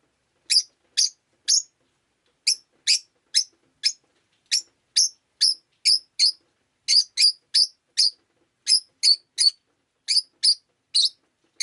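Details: Pet Rosy-faced lovebird on a rainy day giving a long run of short, shrill chirps, single and in quick pairs or triplets, with brief pauses between bursts.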